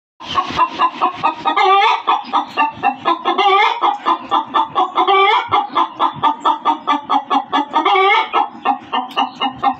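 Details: Loud hen cackling: rapid, harsh, repeated clucks run almost nonstop for ten seconds, with a few longer, drawn-out rising squawks every couple of seconds.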